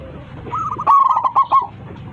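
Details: Local zebra dove calling to its flock: a single short phrase of quick, bubbling mid-pitched coos that swell in loudness, then stop after about a second.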